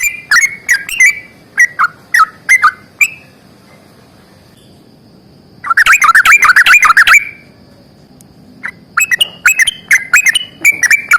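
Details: Energetic fighting-style yellow-vented bulbul song with long rapid runs, used to coax silent birds into singing. Several bubbly phrases are followed by a two-second silence, then a dense chattering burst, then more quick warbled notes.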